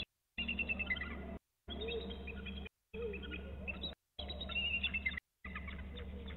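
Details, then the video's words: Bald eagles calling near BST at 14:53 after flying off, before returning: thin, high chittering and squealing notes in short bursts over a low steady hum, broken up by repeated gaps of silence. "Eagles off BST calling then return"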